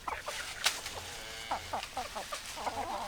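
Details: Hens clucking: quick, sharp clucks and short nasal notes from several birds, closely spaced, with one louder click-like cluck early on.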